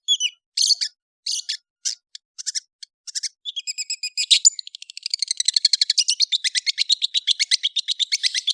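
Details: Long-tailed shrike chattering in kicau ocehan style. Scattered high chips and squeaky notes give way to a fast, steady run of short, bright, repeated notes, about four per second, that continues to the end.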